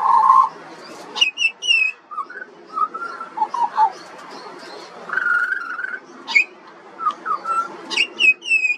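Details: Juvenile pied butcherbird from Australia in song: mellow low whistles and a sustained fluted note mixed with sharp high downslurred calls, phrases varied and irregular.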